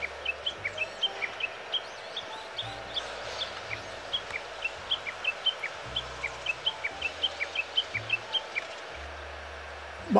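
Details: A Japanese Bush Warbler by a riverbank in Kita-Harima, inland Hyogo, Japan, apparently alarmed at something, perhaps the photographer, gives a steady run of short, sharp ticking calls, three or four a second, over a faint low hum.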